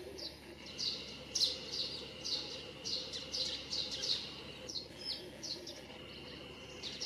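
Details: Russet sparrow singing in a street tree in Nikko Yumoto Onsen town, Japan, with house sparrows nearby: quick runs of high, bright cheeps, several each second, over a steady thin high hum and faint background noise.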